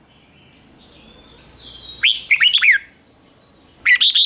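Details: Caged red-whiskered bulbul singing in the morning in the 'ché' style, a song used to stimulate wild-caught birds. Clear whistled phrases with sliding, warbling notes in two bursts, starting near two seconds and again near four seconds, over faint background hiss.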